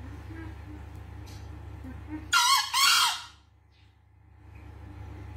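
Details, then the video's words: A green junglefowl searching for its escaped female gives a single short, hoarse, two-part crow that is shrill and broken, over a steady low hum of background noise. "Mencari betinanya yang lepas//Ayam hutan hijau"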